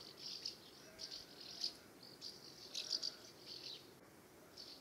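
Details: Common house martins calling while flying around their nest site in the UK in summer: short, dry, high chirrups in quick irregular bursts, several per second, over a quiet background hiss.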